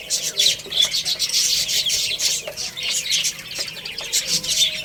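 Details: Little chicks playing and eating, a thick wash of very high, fast chirps from many birds, nearly continuous, with faint clicks.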